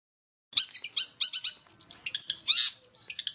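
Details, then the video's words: Long-tailed shrike (cendet) in quick song after a brief silence: dense harsh chattering notes and squeaky phrases packed closely together, mimicking varied bird calls. "cendet roll speed rapat om kicau"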